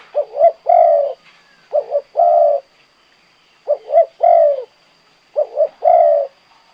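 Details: ['Kuk 2 song of a spotted dove: a phrase of two quick soft coos and one long, mellow, falling coo, repeated three times at steady intervals of about two seconds. The setting is quiet.']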